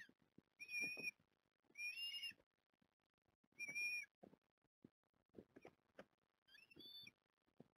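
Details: Osprey at the Port Lincoln nest while the three growing young are fed, 09 October 2021, picked up by a live cam. Four whistled, slightly rising calls at irregular intervals, with scattered clicks and rustling from the nest.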